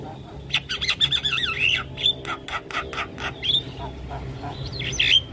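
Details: Harsh squawking chatter from a Javan myna delivering full song fills to lure other mynas, mixed with twisting whistles and rapid clicks, ending in a loud scratchy warble.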